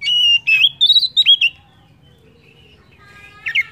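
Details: Oriental magpie-robin singing as a lure for other songbirds: a burst of loud, quavering whistled notes for about a second and a half, then near silence with faint whistles, ending in a brief sharp phrase.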